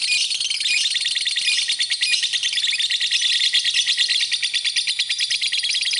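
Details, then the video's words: Masteran lovebird song: fast, insistent high-pitched chatter with rapid repeated chirps, roughly two per second, layered over continuous shrill twittering. "Kicauan Burung, Love Bird, Masteran Love Bird"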